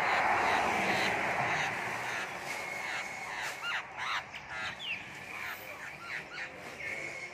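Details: Silver-eared laughingthrush calling: after a noisy, hissing start, a steady whistled tone, then a run of short, harmonic, down-and-up swooping notes repeated about three times per second, with a faint human voice in the background.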